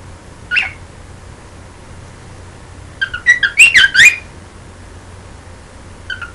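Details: Pet bird singing to its owner's hand: a single brief chirp, then a quick run of bright warbled, twittering notes, and a short chirp at the end.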